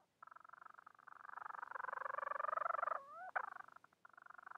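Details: Bermuda petrel calling for a mate: a long, rapidly pulsing nasal moan held near one pitch and swelling slightly, broken by a quick upward slur and a sharp note before the pulsing resumes.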